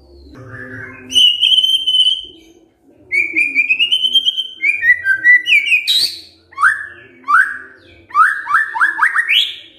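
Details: White-rumped shama in the fierce 'kretekan fighter' song style, used to prompt silent shamas to answer; loud varied whistled phrases with sliding and rising notes, then quick chopped bursts of repeated upward-swept notes toward the end, over a faint low hum.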